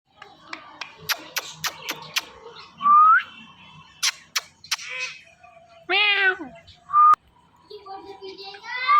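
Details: A pet talking parrot, called Mittu, gives a short burst of speech-like, nasal syllables, then brief rising whistles. Sharp taps and clicks come first.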